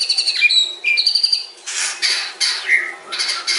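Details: White-rumped shama song, a long, full run of varied phrases: clear whistled notes and sliding slurs mixed with harsh buzzy bursts, broken by brief pauses.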